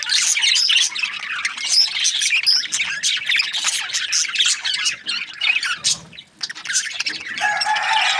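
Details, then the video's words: Budgerigars chirping in a dense, continuous chatter of high, rapid twittering notes and squawks, with a short steady tonal note near the end and a brief lull around six seconds. "Budgies parrot chirping sounds"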